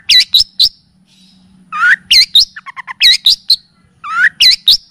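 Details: {'caption': 'Long-tailed shrike (pentet) tutoring song with kapas tembak and cililin elements: bursts of bright high chirps separated by short pauses, a rising slurred whistle, and a quick run of lower stuttering notes.'}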